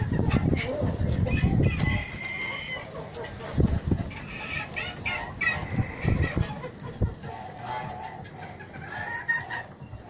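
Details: A breeding Yurlov Crower rooster gives drawn-out crowing phrases, with low thumps and farmyard noise around them.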